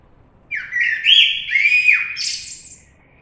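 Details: Common blackbird singing: a single phrase of about two seconds with a sliding mid-pitched whistle that holds, dips, then breaks into a higher squeaky twitter at the end; otherwise quiet.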